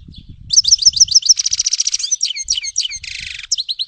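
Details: Grey-headed goldfinch (Carduelis caniceps) in continuous song, quick sharp chirps alternating with dry buzzy trills and a half-second wheezy buzz near the end, over low rumbling background noise.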